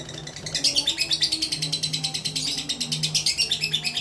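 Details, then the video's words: Caged competition lovebird of mentil type starts softly then swells into quick, high, buzzy chatter, pulses evenly repeated, with a low humming background sound throughout. "Gak mentil Gak Asik"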